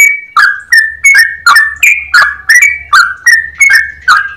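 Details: Yellow-vented bulbul with long rolling, clear-voiced chatter: evenly spaced loud whistled notes, each starting with a crisp click then a slurred fluty tone, about three per second, over a faint low hum.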